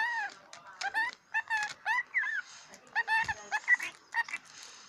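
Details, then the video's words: Scaly-breasted lorikeet kept as a pet, talking and swearing while playing with his toy: rapid, chattering speech-like syllables with rising and falling tones, delivered in quick bursts with brief gaps and a low thump midway. "Scaly breast lorikeet talking"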